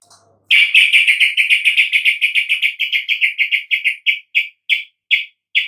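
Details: Yellow-vented bulbul chatter, played to coax reluctant birds into singing. A dense burst of rasping notes follows a brief soft note, then gradually slows to well-spaced single notes.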